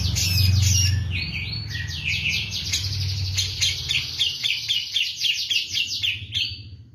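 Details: Grey-cheeked bulbul of the Javan form in full, insistent song, likened to the kapas tembak. Opens with sweeping squeaky notes, then settles into a quick run of short, repeated chips over a low rumbling background hum.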